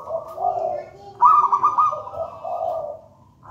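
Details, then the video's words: Wild local zebra dove, taken from a nest in a raja banana plant, singing actively: low soft coos lead into a loud, bubbling, rolling trilled phrase, trailing off into lower warbled notes. "Perkutut manggung gacor"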